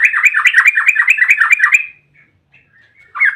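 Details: Yellow-vented bulbul giving a long rapid rolled trill (ropel panjang) meant as a lure to make other bulbuls sing: about two seconds of fast, bubbling, rising-and-falling notes, a short pause, then another burst.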